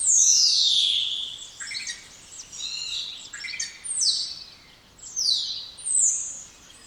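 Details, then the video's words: Spotless starling singing a long, loud whistle that sweeps steeply downward. Shorter downslurred whistles and scratchy notes follow, repeated roughly every second, all high-pitched and clear against a quiet background. "Canto dos Estorninho Impecável ou Estorninho Imaculado"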